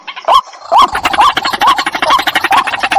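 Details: White-breasted waterhen, recorded for use as a decoy. Rapid, rising, hooked notes repeat over two per second. Rough, broadband bursts between them give a harsh, gobbling quality.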